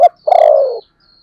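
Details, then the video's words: Decoy spotted dove with 'thổ' voice: one sharp short note followed by a single long, steady, gently falling coo lasting about half a second. "Chim Cu Mồi giọng THỔ"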